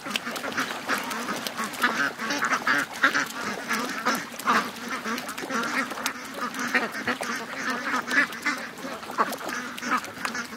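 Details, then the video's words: More than 700 ducks and geese rush to the lake in the morning. Constant overlapping quacking fills the air, with uneven peaks of louder calls every second or so. "To The Lake... 700+ Ducks & Geese Morning Rush"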